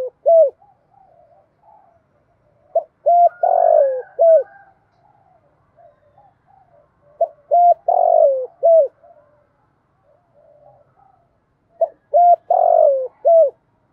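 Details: Spotted dove (Spilopelia chinensis), coo: decoy bird calling to lure other doves.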